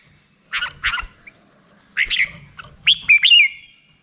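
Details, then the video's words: Black-crested bulbul giving a few scratchy, broad chirps followed by a short phrase of clear whistled notes that slide downward and trail off. "suara burung merbah jambul"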